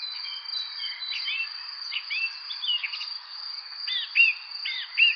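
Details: Bird chirping: quick high, sharply bent chirps and short twittered phrases, grouped in bursts about once a second and louder near the end, over a steady high-pitched hum running throughout.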